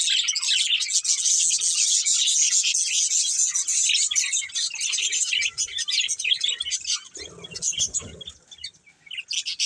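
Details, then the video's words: Colourful budgies, a breeding pair, produce a continuous wash of rapid high chirping and twittering that fades and becomes patchier toward the end, with some low rustling noise. "Colourful Budgies Chirping Sounds"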